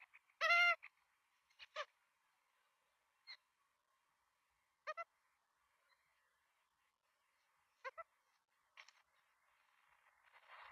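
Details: Nestcam recording of Australian magpie chicks begging at feeding time in Melbourne on 23 September 2022: one loud raspy squawk, then scattered short, quieter harsh calls spaced irregularly across a near-silent background, with rising hiss at the end.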